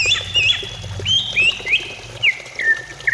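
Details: Greater green leafbird song meant to prompt singing: clear whistled notes rising and falling, repeated at uneven intervals, some sharp upward slurs, over a low hum.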